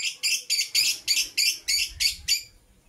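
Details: Morning chirping from green and blue masked lovebirds: nine loud, harsh, buzzy high chirps repeated evenly about four times a second, then stopping, with quiet background.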